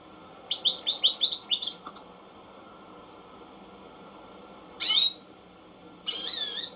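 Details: American goldfinch (Spinus tristis) song: a quick run of about a dozen high, bright twittering notes, then two separate harsh buzzy phrases a second apart, over faint background hiss.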